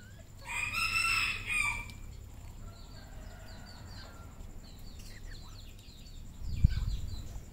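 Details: Red junglefowl on a Cambodian farm gives a short, harsh crow near the start that breaks off after about a second. Faint high chirps of other birds and a steady low rumble follow.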